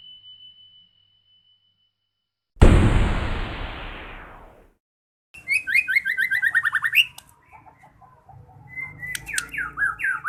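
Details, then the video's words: White-rumped shama (murai batu) singing in full voice: after a thin steady tone and a loud rushing burst of noise, fast bursts of rising whistled and chattering notes arrive from mid-clip, with a low background rumble. "Burung Murai batu gacor dor"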